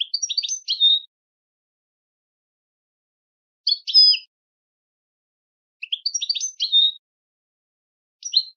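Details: Goldfinch singing in a training recording: brief clusters of bright, high chirps and twittering slurs, about a second each, repeated irregularly every two to three seconds against a silent background.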